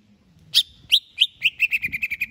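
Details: A greater green leafbird, kept as a songbird said to be ready for a singing contest, sings a bright, high phrase: sharp notes start slowly, then speed up into a quick, slightly falling trill, over a faint low hum.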